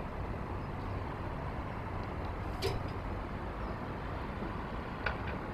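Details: Outdoor traffic rumble with a few brief clicks and no animal voices.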